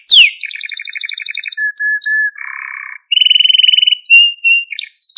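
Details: Male Maltese canary song used to stir other canaries into singing: clean whistled tours, a rapid pulsed trill, steady pure tones at different pitches, a lower rolling phrase, then another fast bright trill.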